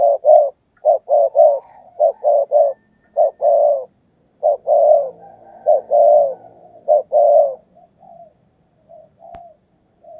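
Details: Decoy spotted dove in thúc gù style, cooing to draw wild doves: rapid clusters of soft low coos, short clipped notes alternating with drawn-out rolling ones, fading into quieter scattered coos near the end.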